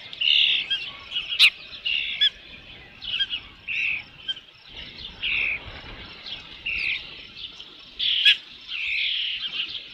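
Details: At Dunrovin Ranch on 3 June 2018 near 5 PM, an Osprey at the nest with a fish gives repeated high whistles and chirps through ten seconds, with a few sharp knocks and light background noise.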